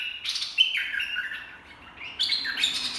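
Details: Dok taeng song of a red-whiskered bulbul for training young birds and luring: a clear whistled phrase sliding down to lower notes, a quieter gap, then a fresh loud whistled burst rising higher.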